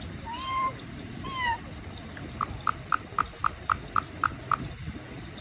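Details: Indian ringneck parakeet imitating a cat: two short, meow-like wavering notes, then a rapid, even series of eight sharp clicking pips.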